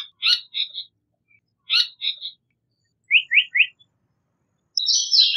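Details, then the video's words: Japanese paradise flycatcher: two harsh, chattering calls, a clear run of three quick rising notes, and then a high, rough, buzzing call at the end. "Japanese Paradise Flycatcher Call / Sound / Song"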